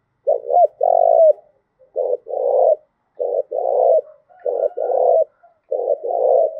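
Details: Spotted dove, Đồng Nai, Vietnam, in the 'thúc gù' coo style used for luring and training decoy birds; paired coos, a short note then a longer rolling one, repeated about five times in quiet surroundings.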